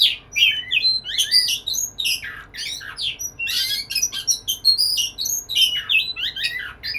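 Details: Kacer, the white-rumped shama, in full song courting a female: dense run of whistles, chatters and squawky notes, nearly continuous with quick pitch jumps.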